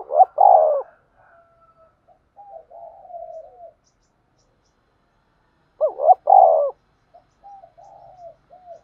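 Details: Decoy spotted dove used in trapping gives two loud double coos about six seconds apart. Each is followed by a trail of soft, short, falling coos.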